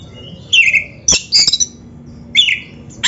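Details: Oriental magpie-robin song used as a training recording for young or quiet kacer: scattered sharp whistled notes and a buzzy sweep, with short bursts separated by pauses and a quiet room background.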